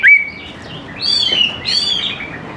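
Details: Greater green leafbird in lively song, used as a lure to get young leafbirds singing along; a high rising whistle, then two bursts of bright, slurred warbling phrases.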